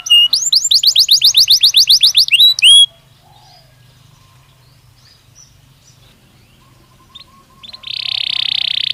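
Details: Natural song of a Belgian canary: a rolling trill of rapid repeated notes for nearly three seconds, a quiet pause with faint chirps, then a dense buzzy trill at the end.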